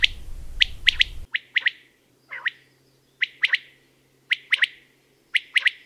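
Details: Loud, sudden common quail song: repeated bursts of three sharp, clipped notes about once a second, opening over low hiss that cuts out to leave a quiet background.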